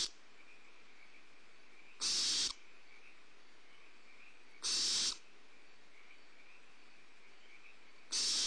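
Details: Young barn owls beg as prey is dropped to them at Starr Ranch on 2011-04-02, recorded by a nest camera. Three loud, rasping hisses about half a second long recur roughly every two and a half seconds.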